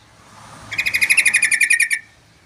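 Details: Sooty-headed bulbul singing hard: a long, evenly pulsed trill of around fourteen bright, harmonic-rich notes lasting over a second, fading into soft background noise.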